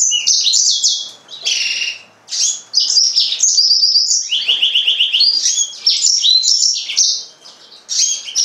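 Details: Nearly continuous song of a yellow-fronted canary, Serinus mozambicus: bright, high twittering with fast buzzy trills, downward-slurred whistles and quick repeated notes, pausing briefly only twice.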